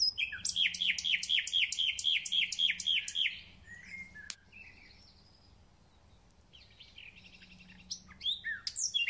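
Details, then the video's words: Thrush nightingale in full spring song: a fast series of about eleven sharp, ringing notes over three seconds, then a pause with faint soft phrases, before another burst of chattering notes begins. "Słownik Szary koncert na całego to znak że zaczęła się wiosna"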